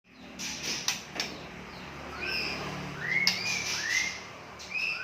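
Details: Song of a white-rumped shama of wild forest origin from Bahorok, described as a champion bird: clear rising whistled notes, some sweeping upward, spaced through the phrase between soft clicks and faint background noise.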